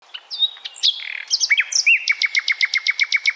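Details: Common nightingale, a small bird singing in the middle of the night; varied whistled and chirped notes, then a fast run of about fifteen identical sharp notes repeated evenly at the end.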